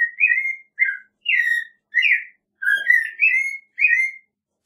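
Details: American robin singing a steady run of short whistled, warbling phrases, about eight in under five seconds, each slurring downward with brief pauses between, against a quiet background.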